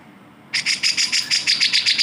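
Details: Grey-cheeked bulbul tutor recording for training other songbirds: after brief quiet, a loud grating chatter begins, harsh broad notes pulsing roughly eight times per second.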